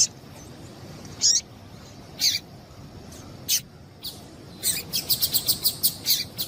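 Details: Female double-collared seedeater calling to stimulate a male to sing: scattered sharp high chips, then a quick run of about eight clipped notes at the end, over a hissing background.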